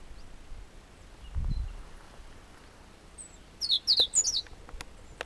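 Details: European robin singing on a trail from Chamorga, Anaga, Tenerife: a brief burst of thin, high, tumbling notes lasting under a second, after a quiet start with a soft low thump.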